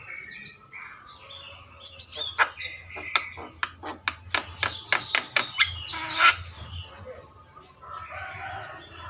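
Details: Javan myna in captivity singing a burst of sharp, clicking broadband notes repeated quickly between whistled phrases, over a low steady hum.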